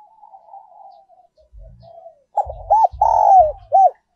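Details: Spotted dove decoy song in the style known as giọng còi, also called giọng kim: after soft quiet cooing, a loud phrase of an arched coo, a long sliding coo and another arched coo. Low dull knocks sound underneath.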